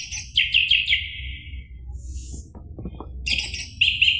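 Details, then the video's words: Orange-headed thrush song used as a recording to provoke a caged bird into singing: two bursts of high, quick warbled notes separated by a quiet gap with faint low background rumble. "PANCINGAN ANIS MERAH agar Emosi jadi NYAUT BUNYI GACOR NGEPLONG"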